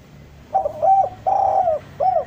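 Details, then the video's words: Raw untrained spotted dove cooing, for drawing decoy doves to come down: a four-note phrase of husky coos, short, short, long and falling, short, over a quiet background. "Suara derkuku bahan ini sangat pas untuk pancingan tekukur pikat agar mau turun"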